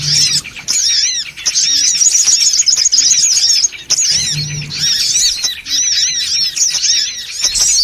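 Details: Songon otong lure call, noisy: bursts of dense high chattering from many birds broken by short pauses, with low hums at the start and middle.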